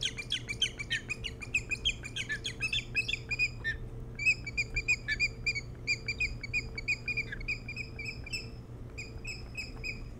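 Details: Ospreys calling at their Hog Island nest, Maine, nest-camera recording from early morning, 07-03-2018: long bursts of shrill, quick chirps, dense at first, then evenly spaced piping notes, with a constant low hum beneath.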